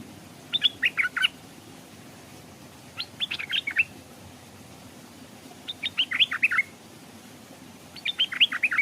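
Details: Decoy Stripe-throated Bulbul hanging by a stream, drawing wild birds that arrive but will not descend; four lively bubbling phrases of rapid chirped notes, each about a second long, separated by pauses of roughly one to two seconds.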